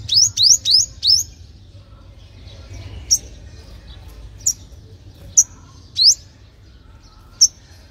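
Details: Olive-backed sunbird sound used to lure young wild birds: four quick high upswept notes in a row, then spaced single sharp chips over a low background hum.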